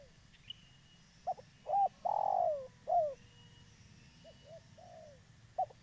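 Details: A local spotted dove, a keen caller used as a trapping lure, delivers short hollow notes rising into a long, loud coo and a downslurred note, then gentle double coos and a final short note; thin distant chirping in the background.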